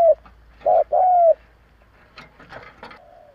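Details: Kept spotted dove decoy, used to provoke other doves, gives low mellow coos: a short note, then two longer, slightly falling coos within about a second and a half. Softer, broken rustling and knocking sounds follow.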